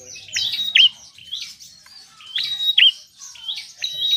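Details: Lively Bar-winged prinia song, meant to spur reluctant birds to sing: loud phrases of a steady high whistle and a bent, downward-curling note, alternating with softer fast chirps.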